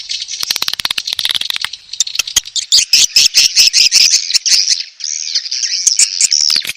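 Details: Edible-nest swiftlet mating call used to lure swiftlets into a nest house. Dense chattering comes first, then a series of rapid clicks with buzzy chirps, ending in a smoother, swirling high twitter.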